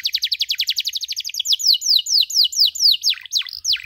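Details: Training song of a canary for young birds learning cuit-cuit calls: a very fast chattering trill, then slower loud downward-sweeping chirps about three per second.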